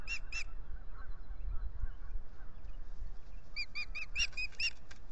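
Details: At dawn on 9 April 2021, an osprey pair mating at their Salt Point nest camera site by a lake: two sharp high chirps, a pause, then a rapid run of about eight piercing whistled notes, with constant low rumble beneath.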